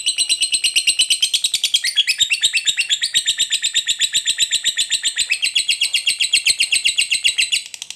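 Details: Lovebird in fighter form, 'ngekek panjang' long trill used to provoke other lovebirds into singing: an unbroken, fast, buzzy chattering trill of rapid high notes, pulsing steadily for about eight seconds with a slight pitch shift midway.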